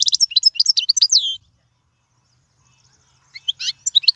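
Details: Song of a European goldfinch meant for teaching fledglings: over a second of quick, tinkling twitters, then silence, then a brief return of high chattering notes.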